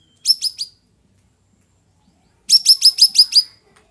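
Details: Straw-headed bulbul in full afternoon song, a loud phrase of three rapid whistled notes, then after a pause a longer rolling run of about seven bright, evenly spaced warbling notes.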